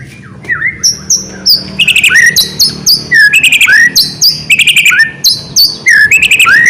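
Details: Vigorous white-rumped shama song to draw other shamas into singing: loud repeated phrases pairing a dipping whistle with bright high clicks, delivered in steady bursts.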